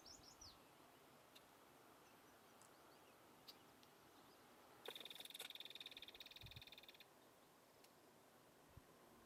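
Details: North American belted kingfisher giving a dry, rapid mechanical rattle of about two seconds midway, over steady rushing background noise with faint thin chirps from other birds.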